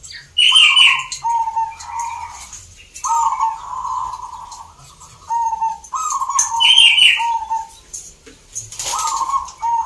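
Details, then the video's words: Zebra doves at a local singing contest in Salatiga, Central Java, Indonesia: several rolling, purring coo phrases in a low register, with brief higher chirpy notes from other caged birds, clicks and background crowd noise. "Perkutut gacor door"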